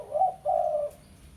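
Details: Spotted dove, a lure call for calling a rival, giving two low hollow coos, the second longer and steady, with a faint hum behind.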